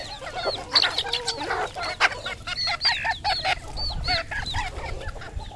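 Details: Red junglefowl at a Cambodian farm: bright, hooked, high peeps come in quick clusters, mixed with lower clucking notes and brief clicks.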